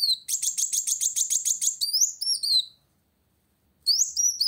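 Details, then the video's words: Kolibri wulung sunbird singing energetically to challenge a rival: a rapid run of high, buzzy, sharply repeated notes for about a second and a half, then a few thin descending whistles, a short silence, and the high chattering resumes. "Kolibri Wulung Gacor Cari Lawan"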